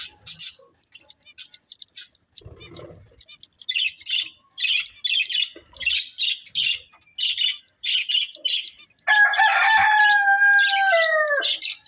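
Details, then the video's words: Budgerigar breeding pair chirping in short, regular high buzzy bursts for about nine seconds, followed by a loud, drawn-out rooster crow that drops in pitch at the end. "Cute Budgies Chirping Sounds"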